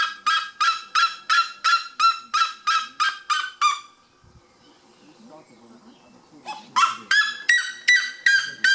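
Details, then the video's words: Red-legged seriema at Pico de Caledonia, Brazil, in November 2017, giving loud, harsh, yelping notes about three per second in two bursts, the second rising slightly in pitch, with a quiet pause between. "Red legged Seriema"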